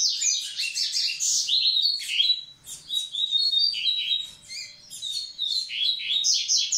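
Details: Seedeater of the double-collared kind singing to prepare the females, pouring out a nearly continuous, energetic warble of sharp chips, rolling trills and buzzy slurs with barely a pause.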